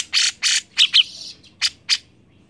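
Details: Grey-cheeked bulbul, recorded as a prompt to get other birds singing, giving six harsh, scratchy, broad-toned notes with short gaps between them.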